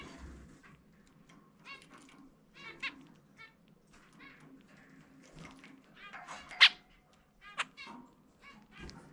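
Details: Free-flying pet zebra finch sings its individual 'chumi chumi pe' song in a quiet room: sparse short nasal beeps, then a sharp bright burst and a few trailing squeaky notes.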